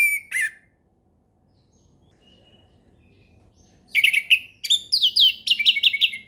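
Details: Orange-headed thrush, relaxed ngeplong song used to tutor young birds: two short notes, a few seconds of quiet, then a dense jumble of chirps and fast repeated slurred whistles.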